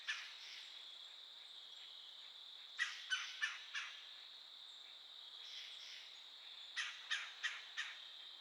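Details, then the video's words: Woodpecker calling near a yearling doe: two bursts of four sharp, harsh calls about three to four seconds apart, over a steady high insect hum. "a woodpecker calling"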